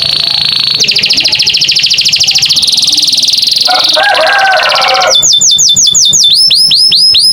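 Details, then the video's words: American canary singing a varied, melodious song: rapid buzzy trills and fast repeated chirps give way to sharp looping whistled notes repeated several times a second. Faint voices and laughter sit in the background. "the beautiful sound of the American canary"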